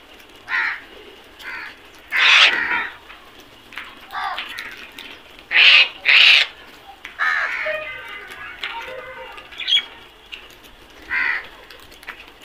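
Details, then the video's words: A flock of black crows gives harsh caws at uneven intervals, including a loud double caw midway, with quieter calls from other flock members in between. "Flock of black Crows beautiful sound effect"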